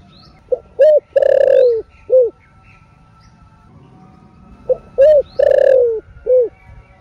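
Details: Two full coo phrases from a spotted dove in 'thổ rền' style, played to excite caged doves. Each has a faint pickup, a clear coo, a long tremulous falling coo and a short end note, with a pause between.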